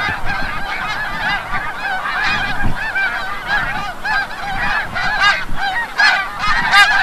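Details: Returning at sunset from the bay, snow geese at Forsythe refuge in Oceanville, New Jersey give a crowded din of short, arched honks, with low rumbling background noise.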